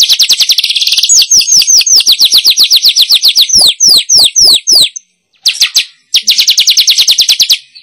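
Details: Lure call used to attract wild weavers: fast, even chattering notes running on for seconds, slowing into separate downslurred chirps, then more rapid chatter after a short silence.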